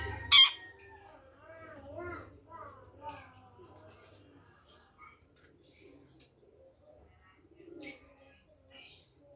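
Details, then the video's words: Long-tailed shrike of the Pastol type singing a varied song: a loud harsh burst, then a rambling run of harmonic, warbling whistles and chattering notes, with scattered sharp ticks toward the end. "Kicau Burung Centet Pastol"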